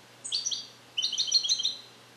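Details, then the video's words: European goldfinch born in captivity in 2021 and educated in Neapolitan song; a short warbled phrase followed by a quick, bright rolling twitter. "Cardellino Passata Napoletana 2021 - European Goldfinch - Jilguero cante limpio"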